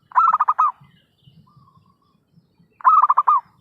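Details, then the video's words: Zebra dove trapping lure, loud and lively: a chattering run of short cooing pulses closing on a held note, answered by a matching burst after almost three seconds, with low soft murmurs between. "suara pikat perkutut gacorr....!!"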